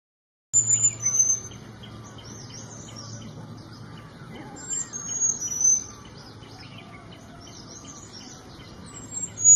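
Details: Small niltava giving thin, very high whistled notes, some flat and some slurred, in short bursts through the clip, with other birds chirping faintly and a low steady hum underneath.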